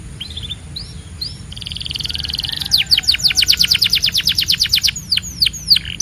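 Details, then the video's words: A Belgian canary sings high and bright: a few slurred notes, a buzzy sustained trill, then a fast run of about fifteen repeated downward-sweeping notes. "Your Belgian Canary Might Sing NON-STOP"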